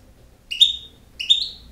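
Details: European goldfinch, a campero-style singer, giving two clear whistled notes that slide slightly upward and hold, about 0.7 seconds apart, in a quiet room.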